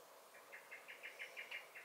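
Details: Blackbird (Turdus merula) in a garden on 23 May 2021: a steady series of about nine soft, clipped chinking notes, evenly spaced, over a steady hiss.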